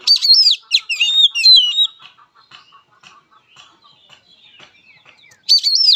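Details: Oriental magpie-robin fighting song: loud warbled whistles with sweeping rises and falls for about two seconds, then soft low ticking and faint twitters, and another loud whistled burst at the close.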